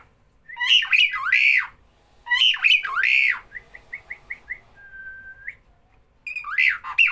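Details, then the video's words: A starling calling when people are near gives two harsh squawk phrases, then a rapid series of short clipped notes and a long flat whistle that rises at the end, before squawking again. "Burung Jalak Bila ada orang selalu bunyi"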